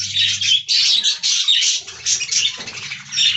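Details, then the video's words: Pet budgerigars kept as an aviary colony, loud busy high-pitched twittering and squawky chirps packed tightly together, with a faint low hum at the start and end. "Budgie Talking Compilation: Hilarious and Adorable Moments"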